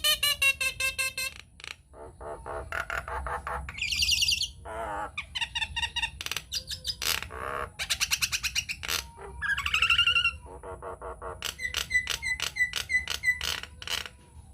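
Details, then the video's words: Nias hill myna singing loudly as a lure to draw other mynas into song: a varied, rapid string of harsh squawks, clucks and buzzes mixed with ringing upward whistles, with a fast run of repeated bright notes near the end. "PANCINGAN / MASTERAN JALAK NIAS GACOR, TEMBAKAN DAHSYAT 🔥 |INDIAN MYNAH BIRD CALL"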